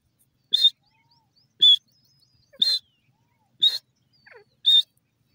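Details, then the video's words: Grey francolin in grassland, giving loud, piercing high notes spaced about a second apart, five in sequence, with faint softer chirps between them. "Grey Francolin in grass dasi Teetar ki awaaz"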